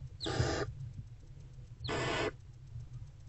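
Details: In a nest box before dawn, 20 February 2024, a barn owl mother and older owlet together; a pair of loud, breathy screeching hisses, each lasting about half a second, about one and a half seconds apart.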